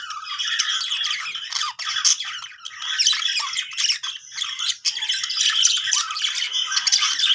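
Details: Budgerigars making happy sounds, a loud, unbroken mass of overlapping squawks, chirps and rasping warbles from several birds.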